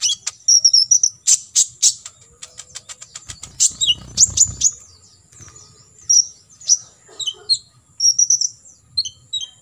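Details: Olive-backed sunbird, kolibri ninja, 'tembakan isian' tutor song: a burst of rapid ticking notes, then scattered high, sharply falling chips and short twittered phrases, with brief low rustling in the middle.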